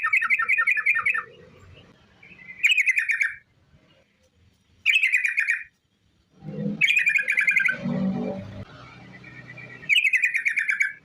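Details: Sooty-headed bulbul in lively 'ropel' song, a long rolling song meant to lure other bulbuls into singing: five fast bursts of rattling, warbled notes, each about a second long, broken by pauses with soft low background rumble.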